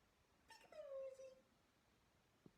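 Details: Pet cockatiel playing peek-a-boo indoors: one drawn-out, downslurred whistled call lasting under a second in a quiet room, followed by a faint knock.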